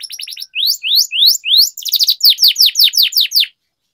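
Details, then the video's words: Canary tutor song for training young or silent birds, a lively long-rolling style: a few quick chips, then rising slurred whistles, then a rapid run of falling sweeps, ending abruptly in silence. "Canary Singing Training, Kenari Gacor Ngerol Panjang,Terapi Kenari Macet, Masteran Kenari Paud"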